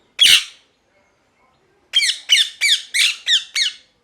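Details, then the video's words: Angry, screaming parrot: one rough squawk, then after a pause a run of six evenly spaced harsh falling squawks about a third of a second apart, indoors. "Parrot Chirping Sounds | Natural Parrot Sounds | Parrot Calling Sounds"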